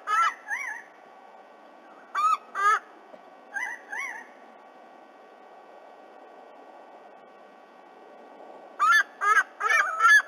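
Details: In Australia on an October morning, a black currawong and its mate harass a recently fledged white-bellied sea-eagle back to its nest; sharp ringing whistled calls come in short bursts, then silence, then a rapid cluster of calls.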